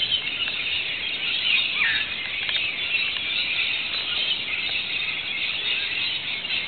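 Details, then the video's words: As rain begins after several sweltering hot days in Australia, local Rainbow Lorikeets and other birds screech together, a thick shrill chorus with one clear downward squeal near the middle. "the local Rainbow Lorikeet's and other birds started rejoicing"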